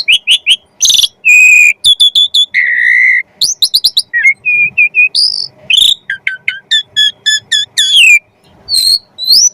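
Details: Javan pied starling material for teaching magpie-robins: varied loud whistles, a grating rasp, a low buzzy note, short repeated tones and clipped chips in quick succession.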